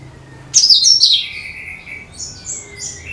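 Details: Bulbul known locally as cucak kinoi, its song used to lure every kind of bird: one loud, sharp, descending chirpy phrase followed by softer trailing whistled notes and a few faint high chirps.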